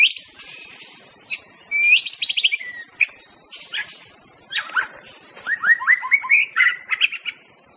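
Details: White-rumped shama from Aceh, likely caged, singing a varied song of whistled notes, rising slurs and rapid chattering phrases in bursts, with a steady high hiss behind.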